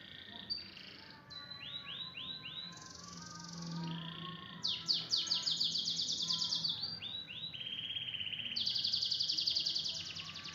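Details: Canary delivering a full tembakan song: a varied sequence of rolling trills, a sustained high buzzy note, then fast sharp repeated chips and a long bright buzzing trill, with low background hum.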